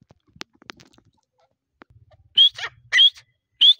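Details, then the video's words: Grey partridge in breeding season: after soft taps and clicks, three loud rising whistled notes mixed with raspy lower sounds, about one every half second. "teetar ki awaz | Partridge voice"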